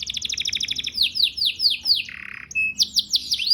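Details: Canary singing to prompt mating, a rapid repeated trill giving way to a series of downward-sweeping whistled notes, a short buzzy note, then more high sweeping slurs.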